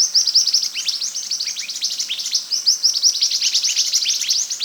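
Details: Scarlet minivet in vigorous full song, used as a training recording for other birds: a dense, fast stream of high, sharp chirps and short downslurred notes, about 160 per minute, with no pause.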